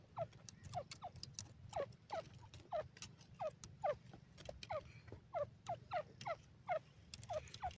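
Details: A francolin feeding in a mustard field calls in a rapid, uneven run of harsh, downward-slurred notes, about three a second, over a low background rumble.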